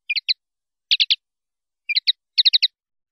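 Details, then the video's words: Common linnet (pardillo) singing in the clean 'limpio' song style prized in Spanish silvestrismo, 2019/2020: four short bursts of two to four bright, chirpy twittered notes separated by silent gaps, with no other sounds. "CD PARDILLO LIMPIO 2019/2020"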